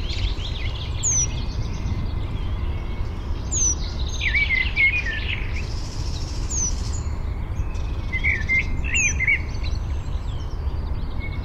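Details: Penduline tit gathering nest material at a birch nest only begun as a ring, Fysingen, Uppland, Sweden, parabolic recording: four thin, high falling whistles spaced a few seconds apart, with chattering of other birds and low wind noise.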